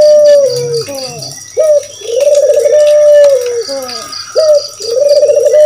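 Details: Barbary dove giving low, rolling coos that swell into a drawn-out purring note, repeated every few seconds, over a thin, steady high whine; used as a lure to prompt other doves to call.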